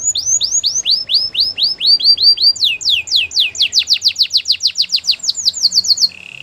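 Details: Canary singing in a training song: a series of clear whistled notes, each sweeping down from high to lower pitch, about three per second, then a quicker run of steeper sweeps, ending on a short low buzz.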